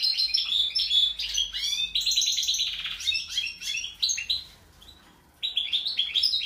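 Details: European goldfinch described as 'mixto' singing a fast, liquid twittering song of tinkling notes and buzzy trills, bursts run for about four seconds, pause near five seconds, then resume; no other sounds.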